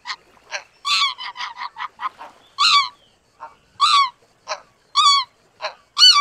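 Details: Greater white-fronted goose calling with loud, ringing, harmonic honks, each about a quarter second, mixed with quieter quick yelps at an uneven pace.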